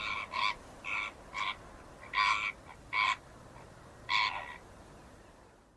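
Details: A flamingo at a zoo gives nasal, goose-like honks, short and harmonic, about seven in six seconds at an uneven pace, over a soft background hiss.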